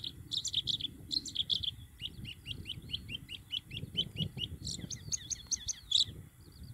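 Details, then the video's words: A Bluethroat (Luscinia svecica), filmed in June, sings a rapid, varied series of ringing chirps, clicks and repeated metallic notes, high-pitched and fast-paced, over faint low background rumble. "GORGEBLEUE à MIROIR - Chant d'Oiseau"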